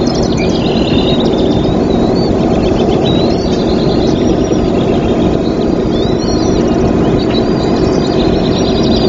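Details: Bald eagle from a nesting pair in a tree at Trempealeau, Wisconsin, recorded 24 April 2024: thin, high piping chirps in short rapid series, some notes sliding upward, heard faintly beneath a constant loud low rumbling noise.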